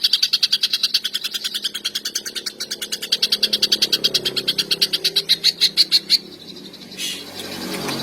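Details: Greater green leafbird in full song, meant to provoke other males and arouse the mating urge: a long rapid train of high, buzzy pulses at an even beat for about six seconds, then a brief rasping note.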